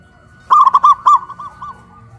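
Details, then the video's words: Caged zebra dove raised on a pole in Kuningan, West Java, singing loudly after hoisting; a single phrase of four quick rolling coos, then softer trailing notes fading out. "PERKUTUT LOKAL SUARA BESAR VS SUARA KRISTAL"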